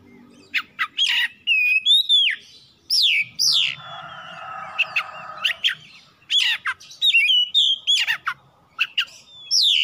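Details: Oriental magpie-robin provoking song for drawing out other singers: harsh scratchy bursts, down-slurred whistles and chattering notes, with a low buzzing noise in the background midway.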